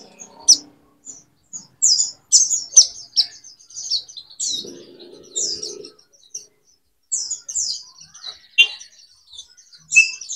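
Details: Male white-eyes caged near each other trade thin, high chirps and twittering notes in quick, irregular, overlapping bursts, with a brief low murmur midway. This answering song together ("nguntul") is taken as a sign the pair is compatible.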